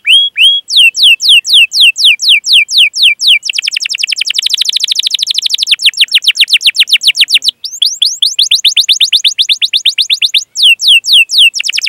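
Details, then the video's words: Long canary song for coaxing young or silent canaries to sing: repeated downward-sweeping whistles, a rapid buzzy trill section, more falling sweeps in steady rhythm, brief gaps between phrases. "Masteran Suara Burung Kenari Gacor Panjang cuit cuit Ngerol untuk Pancingan Kenari!"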